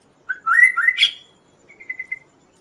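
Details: Kaso-kaso bird singing, used as a master recording for training and luring other birds: a loud, warbled phrase of slurred whistles climbing in pitch, then a fainter run of quick repeated notes, with quiet background.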